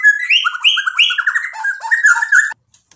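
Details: White-rumped shama (murai batu) singing actively, used as a lure to rouse other birds: a fast, varied run of clear rising whistles, slurred notes and quick chattering trills over about two and a half seconds, then silence.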